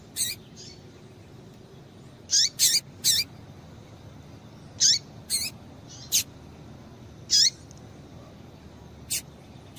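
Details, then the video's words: Female Double-collared seedeater call used to warm up a male. Sharp, high, short chirps, some paired in quick succession, scattered over about ten seconds with irregular gaps. "Piado de Fêmea de Coleiro Para Esquentar Coleiro"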